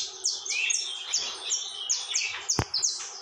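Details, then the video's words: Saffron finch (canário-da-terra) singing nonstop: a rapid series of sharp, high, downward-sliding chips, about three per second, with one brief click-like knock partway through. "Canário da Terra TORMENTO canta sem parar"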